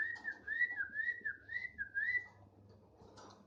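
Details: A tame, actively singing thick-billed heleia delivers a smooth chain of undulating whistled notes, rising and falling in a swinging pattern, over faint low background hum and a brief rustle at the end.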